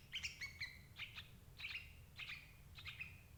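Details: Sooty-headed bulbul calls, used to catch adult birds: loud clear chirps in small groups of two or three, about every half second, over low rumbling noise.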